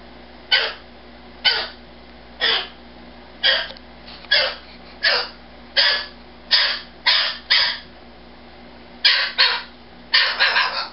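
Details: A male rescued umbrella cockatoo (Cacatua alba) screams indoors at night after the owner's wife went to bed without saying good night. About fourteen loud, raspy screeches come roughly a second apart, then bunch into a rapid burst.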